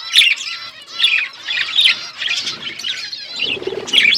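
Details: Budgerigar flock in an outdoor aviary, chattering in bursts of bright, warbling chirps high in pitch, with short pauses between, and a low purring note near the end.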